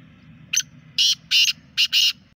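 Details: Native black francolin in lively voice, giving a grating call of five harsh bursts, a short first note followed by longer rasping notes, with faint low rumble behind.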